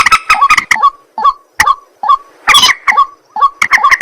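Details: White-breasted waterhen at night: hard, clucking croaks in irregular bursts, each followed by short, rising, ringing notes, roughly two notes a second.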